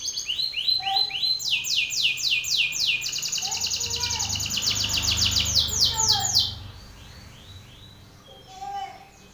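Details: Belgian canary male singing strongly at another male, calling out an opponent; quick falling whistled notes, then a long loud rattling trill of repeated strokes, fading to faint background chirps and low murmur.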